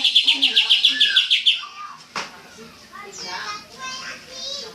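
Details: Greater green leafbird (cucak ijo), full tembakan style: an opening rapid run of about ten shrill, pulsed notes, then quieter, varied twittering and a single sharp click.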